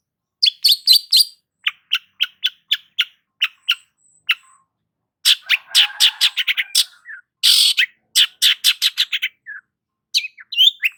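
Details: Long-tailed shrike (cendet) in prolific gacor song: fast, scratchy chattering phrases of clipped notes. Bursts are broken by short pauses, then a loud rasping note, followed by more rapid chatter.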